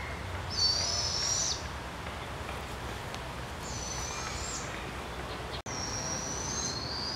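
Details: Barred Owl family in British Columbia, Canada: three drawn-out, high, thin hissing screeches, each about a second long and slightly rising, spaced a few seconds apart over a low background rumble.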